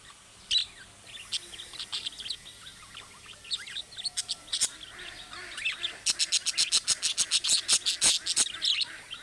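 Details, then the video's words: Budgerigar calls meant to prompt other budgerigars to answer, modelled on chicks' calling-style chirps: scattered high chirps, then a fast regular run of sharp clicking chirps, about ten in three seconds. "MUHABBET KUŞU SESİ Kuşunuz Bu sese Karşılık Verecek Kuş Sesi"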